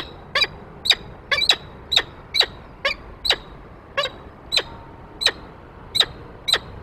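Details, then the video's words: Male peregrine falcon arriving with prey on the nest grate, the female following behind, on 28 February 2023; sharp, clipped calls repeated about twice a second, each a short harmonic note, steady and evenly spaced over a faint background hiss. "Slechtvalk Man met prooi"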